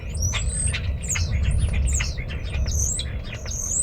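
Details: European Starling (Sturnus vulgaris), a common bird of Saint Joseph and Elkhart counties, Indiana, giving a busy medley of high, slurred whistles, clicks and squeaky notes, several per second, over a steady low rumble.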